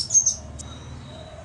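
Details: Crimson sunbird giving a brief cluster of sharp, very high-pitched, thin chips, followed by one short isolated note, with a quiet background.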